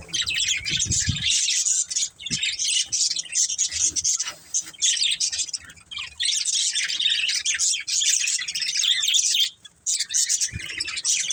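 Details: Pet budgerigars in a family group keep up a steady, dense stream of high-pitched chirping and warbling, with short dips in loudness and a few low thuds.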